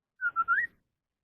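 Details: Chinese hwamei in competitive contest singing: one short clear whistled phrase of three notes, the last sliding upward, then silence.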